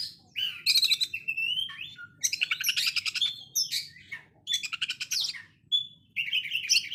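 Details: Oriental magpie-robin in a harsh short-circuit style song, compared to a sewing machine: bursts of rapid buzzy rattles alternate with slurred whistles and squeaky notes, separated by short gaps.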